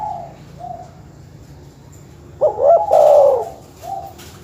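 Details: Dove cooing used to anger rival birds: faint coos at first, then one loud rolling coo phrase with a stuttered start and a long trilled finish, a soft coo after.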